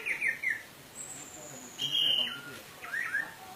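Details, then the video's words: Orange-headed thrush in the 'teler' song style, played as a lure to rouse other birds and stimulate them to sing: short clear whistled phrases in three bursts, with one thin, very high sustained whistle between them, over a quiet background. "BURUNG ANIS MERAH TELER !!!"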